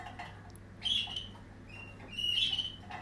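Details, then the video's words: Waterslager canary, 2020 strain, delivering two separate bright whistled phrases with fluttering edges, quiet background between them. "Waterslager 2020 stam"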